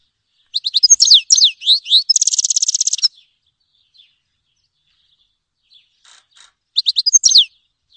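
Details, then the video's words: A grey-headed goldfinch gives a quick phrase of slurred chirps followed by a dry buzzing trill, falls silent for several seconds, then repeats a few chirps. "Щегол седоголовый (Carduelis caniceps)"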